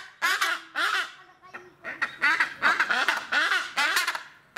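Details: White-bellied bustard at Noichi Zoological Park, Kochi, Japan, in December 2019, giving a run of harsh, nasal, croaking notes, about two per second, each rasping and slightly rising then falling in pitch.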